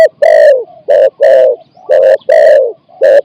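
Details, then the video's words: Decoy spotted dove calling wild doves in, 'ang' style of four to five notes: six close, hoarse, low coos alternating short and long, steady and loud. "ต่อนกเขาใหญ่ กัปตันจูเนียร์ เก็บเชลยคูอ่าง4-5คำ"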